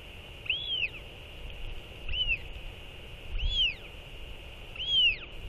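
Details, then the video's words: Northern royal albatrosses exchanging skycalls following a chick feeding: four bright, downward-arching whistled calls at roughly one-and-a-half-second intervals, the loudest at the start and end, with a steady wind rush behind. "Royal Albatross ~ TF & TFT Skycall One Another After LGL Feeding!"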